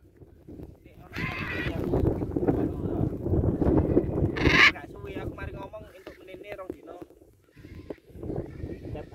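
A military macaw gives two harsh, raspy squawks about three seconds apart, with a man talking throughout.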